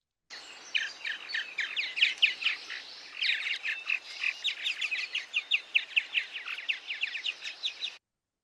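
Purple Martin: a steady stream of rich, throaty chirps mixed with creaky, gurgling rattles, delivered rapidly for several seconds.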